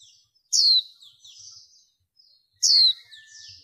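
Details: Female warbling white-eye, a noise-reduced recording used in the 2023 season to lure wild birds and stir males: two loud, thin, high notes sweeping sharply downward, each trailed by soft buzzy twittering, about two seconds apart.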